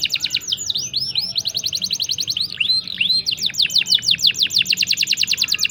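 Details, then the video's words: Long rolling canary song used as a master recording to coax stalled or young canaries: fast high trills of repeated downslurred notes, switching between several phrase types, including looping arched notes, then rapid dense rattling series. "CUIT CUIT NGEROL PANJANG. COCOK UNTUK MASTERAN MAUPUN PANCINGAN BURUNG KENARI MACET ATAUPUN PAUD"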